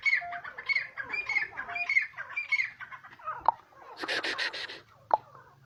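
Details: Grey francolin in natural habitat in Pakistan: repeated high, squealing two-part notes in a steady series, followed by a brief noisy rustling burst and a couple of sharp clicks.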